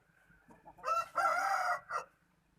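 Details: Highland rooster praised for its fine crowing, recorded 11 November 2019: a single strong crow of a short rising opening note, a sustained middle phrase and a brief falling end, over faint background rumble.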